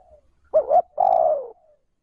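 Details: Spotted dove giving a clean 'trơn ròng' style call, used to stimulate and lure decoy birds: a short wavering two-part coo followed by a longer, level, hollow coo that fades slightly, in a quiet setting.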